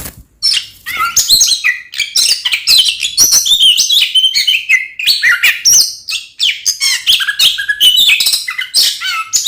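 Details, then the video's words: Oriental magpie-robin in loud, energetic fighting-style song, used as a lure to make other magpie-robins angry. Dense, rapid run of high whistles, sharp chirps and buzzy slurred notes, near-continuous after a brief opening silence, with no other sounds. "SUARA BURUNG kacer gacor NGEPLONG TARUNG konslet ini paling AMPUH buat PANCINGAN KACER agar EMOSI"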